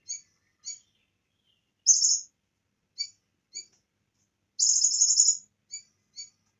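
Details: Bar-winged prinia singing in a training recording filled with cililin song: short high chirps spaced irregularly, broken by two longer buzzy, rattling high bursts, in a quiet background.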